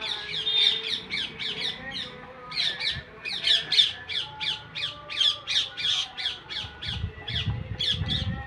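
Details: Parrot calling in a steady series of scratchy, grating squawks, several per second over eight seconds, with faint tonal hum and some low rumbling near the end.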